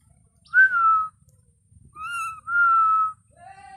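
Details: Household parrot whistling a series of long, steady, pure notes, several gently falling, ending on a lower held tone, while its owner urges it in Bengali to talk.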